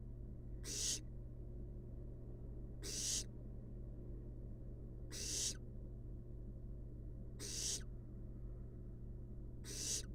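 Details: Fluffy wild barn owl chicks resting in a research nest box produce five rasping hiss bursts, spaced about two and a half seconds apart, with a constant low hum underneath.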